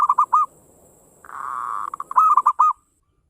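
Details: Local zebra dove singing, used as a lure to prompt other doves to sing: bursts of rounded, bubbling coos near one pitch, a sustained purring trill in the middle, then another quick run of looping coos.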